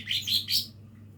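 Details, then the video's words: A lesser green leafbird practising its song gives three fast, slurred, high chirps in under a second. The notes sit over a soft background hum. "cucak ijo mini belajar bunyi"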